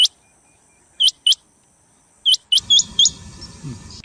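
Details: Rain quail lure call for trapping: crisp, high, ringing paired notes repeated at roughly one-second intervals, then a sudden rush of low rumbling noise under a few final quick notes.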